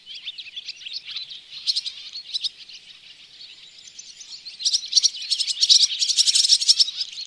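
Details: Barn swallows calling from a bird hide at Oostvaardersplassen, Netherlands, in September 2016, filmed with a Panasonic Lumix GH4: dense, high, rapid twittering chatter from overlapping birds, swelling into louder, busier bursts toward the end.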